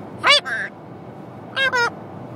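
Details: Pet Catalina macaw talking on a road trip from Massachusetts to Washington: two short, squawky, speech-like phrases, each of two syllables and about a second apart, with rough nasal tone and no other clear sounds.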